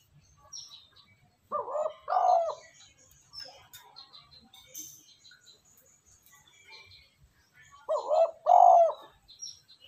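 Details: Spotted dove cooing, used as a lure to rouse decoy birds quickly into calling. Two low, throaty cooing phrases of a few soft, vibrating notes, one near the start and one about six seconds later, with faint high chirps from other birds between them.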